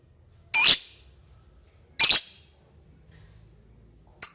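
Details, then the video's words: Lovebird calling in a ticking 'ngetik' context meant to stir chattering; two loud harsh squeaky notes about a second and a half apart, then a short sharp chip. "LOVE BIRD NGETIK MEMANGGILLAWAN AGAR RAJIN NGEKEK"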